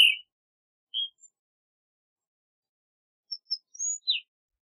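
An Ash-throated Flycatcher gives two short burry notes a second apart, then a quick run of thin high chips and a falling whistled note after a pause.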